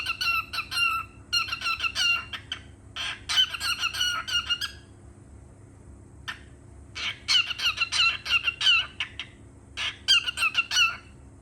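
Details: A pet cockatiel (Nymphicus hollandicus) gives bursts of bright, chattering chirps and sharp whistled notes, separated by brief pauses.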